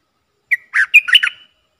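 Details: Red-whiskered bulbul working as a decoy bird to attract wild birds, dated 23/07/64: one short chirp, then a lively run of four or five bright, warbling whistled notes ending on a trailing whistle, clean and without background noise.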